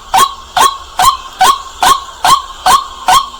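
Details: White-breasted waterhen calling at night, loud and clear: a steady run of short, harsh, honking notes with a hooked, slurred tone, about two per second in a very even rhythm. Eight notes, with quiet background between them.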